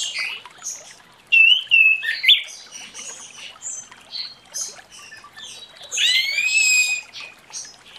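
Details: Orange-headed thrush in the morning giving clear whistled notes, a run of varied shorter notes, then a loud buzzy rising phrase, with other high chirps around.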